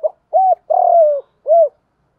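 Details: Spotted dove cooing to stimulate males in training: a short note, an arched coo, a long falling coo, then a final arched coo, low and mellow, about two seconds, clean with no other sounds.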